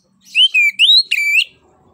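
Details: Orange-headed thrush song used as a prompt for other birds: a loud continuous whistled phrase that dips and rises, ending in a bright, slightly harsh flourish.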